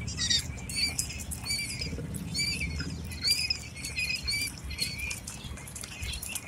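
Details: Several quail chicks, eight days old, calling with soft high peeps in quick irregular series, fairly quiet, over a constant low rumbling background and light scratching.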